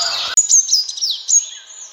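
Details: Sunbird calls for luring birds when hunting: a brief hissy burst, then a series of high whistled chirps with fast downward slides, spaced irregularly and tailing off.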